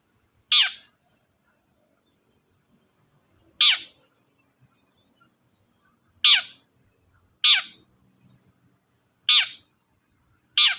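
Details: Long-tailed shrike repeating a single harsh, falling rasp at uneven intervals of roughly one to three seconds, six in all, against quiet; used as a lure to make other birds sing.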